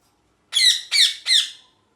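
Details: Pet rose-ringed parakeet giving three loud, harsh screeching squawks in quick succession, each sweeping downward in pitch, about a third of a second apart, then falling silent.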